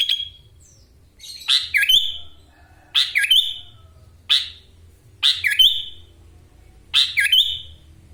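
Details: Caged sooty-headed bulbul from Wonosalam, East Java, in full song with long-tailed-laughingthrush-style fill notes: loud bubbly whistled phrases with a rising note, repeated about every 1.5 seconds, five phrases in all.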